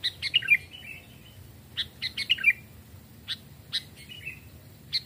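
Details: Hand-raised sooty-headed bulbuls, aged two and three, of a small and a large type, sing during a forest voice test: crisp clusters of sharp chirps and short twittering runs, separated by brief pauses.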